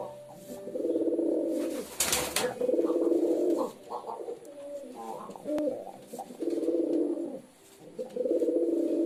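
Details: Pigeon cooing indoors: deep, rolling, throaty coos repeated in phrases of one to two seconds, with a short flutter of wings near the start and faint background noise.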